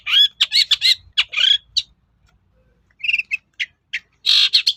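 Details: Long-tailed shrike (cendet) singing to provoke rivals into answering: loud harsh chattering notes and buzzy whistles in quick bursts, a pause near two seconds, then scratchy rapid phrases resume.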